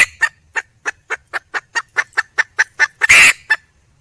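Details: Junglefowl hen calling for a mate, delivering a fast, regular series of sharp clucks near five per second that ends in one loud, harsh squawk and a final cluck.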